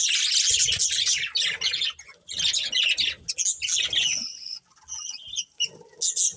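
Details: Pair of breeding budgerigars chirping in loud scratchy bursts and warbles, broken by short gaps, with low thumping and rustling underneath.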